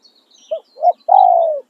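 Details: Spotted dove kept as a decoy for luring wild doves, giving its calling song: two short hoarse coos, then one long drawn-out coo that slowly falls. Faint high chirps from small birds behind.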